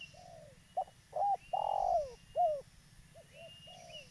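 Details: Spotted dove of a local strain, kept as a lure bird for trapping and calling freely, utters soft coos building to a loud, drawn-out swelling coo and a falling note, then quieter paired coos; faint high chirps behind.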